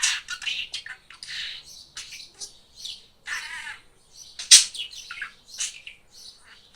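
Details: Pet budgerigar, a talking parrot; a busy stream of scratchy chirps, warbles and squeaky speech-like syllables, with one loud sharp click midway, in a quiet room.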